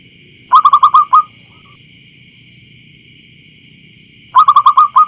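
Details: Local zebra dove in the wild, played to lure others: two rapid bursts of five or six sharp, bright notes each, separated by about three seconds of near silence over a constant electronic whine.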